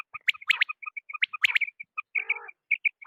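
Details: Night calling of batair, the quail, with rapid clustered high chirps and quick doubled notes in a dense, uneven stream, and a brief lower buzzy rattle partway through.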